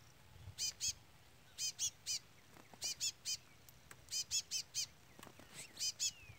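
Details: Persistent peeping from a young chestnut-bellied seed finch beside a brown adult: sharp, very high short notes delivered in pairs and triplets, groups about a second apart.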